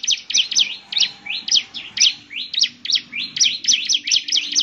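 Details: Bar-winged prinia singing a lively, fast chattering song meant to make other prinias answer: sharp high notes with quick down-and-up sweeps, repeated several times a second almost without pause.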